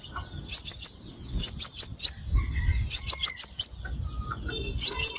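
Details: Sunbird, called the five-colour sunbird, whose call serves as a trapping lure: groups of three to five sharp high chips, repeated roughly every one and a half seconds.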